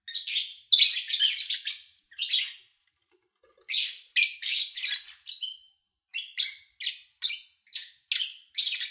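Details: Lovebird chirping recorded in early August 2019 during a quiet spell with little engine noise or human activity: rapid, shrill chattering bursts, a pause of about a second, then short sharp chirps repeated roughly twice a second.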